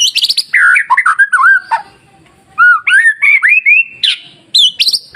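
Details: Masteran song of a white-rumped shama for provoking other shamas: fast high chattering notes, falling whistled slurs, a pause, then a run of clear rising whistles ending in high squeaky notes.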